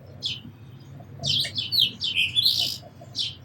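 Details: Sparrow chirps starting as single notes, then running together into a fast, excited chattering burst before one final chirp.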